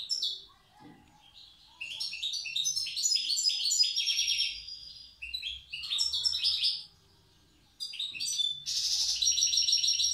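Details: Wild European goldfinch from Tiaret sings in the old style: lively sequences of quick, tinkling, buzzy notes with brief pauses, ending in a sustained bright jingling trill.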